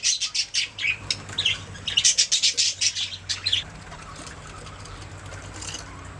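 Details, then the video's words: Budgerigars chirping in a rapid burst of bright, high chatter and squawky notes for about four seconds, then fading to quiet background hum. "Budgies singing making sounds chirping"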